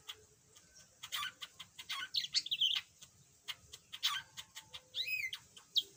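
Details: Pet yellow budgerigar that was once mute and now chatters a little, pouring out dense scratchy warbling with quick chirps, buzzy notes and a few clicking stacked squeaks, with a faint low hum underneath.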